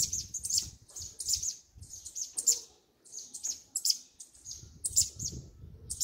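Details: Double-collared seedeater, its song in the 'grego' mexida style: a fast, loud run of high, sharp chirped and twittering notes in quick bursts, one brief pause midway, then the rapid chattering phrases resume with faint low rumble beneath.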